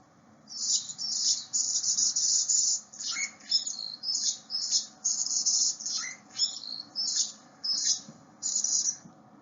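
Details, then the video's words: Anna's Hummingbird, a tiny early-nesting bird, giving a rapid series of high, scratchy, buzzy notes in bursts about every half second, with a few lower squeaky chips mixed in. "anna's hummingbird is a tiny bird that often nests early and it sounds like this"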